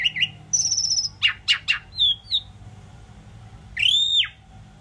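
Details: Indian pied myna, a talking bird, gives a short flat whistle, a few sharp clicking notes, a wavering whistle, then a loud arched whistle that rises and drops away.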